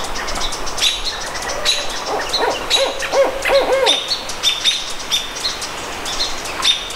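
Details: At the Squamish River Estuary, 17 May 2014, a barred owl breaks into a brief burst of deep, bouncing hoots in the middle of the recording, set against steady, thin, high-pitched chirping from another bird.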